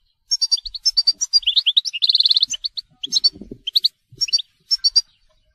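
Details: European goldfinch singing in the telqam style: quick twittering, tinkling high notes broken by short pauses, with a rapid even trill of repeated notes near the middle, then more bright, liquid phrases.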